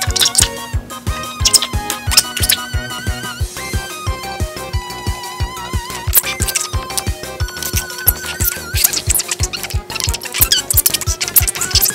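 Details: Upbeat electronic music with a steady thumping beat and scratchy effects plays throughout, with no animal voice.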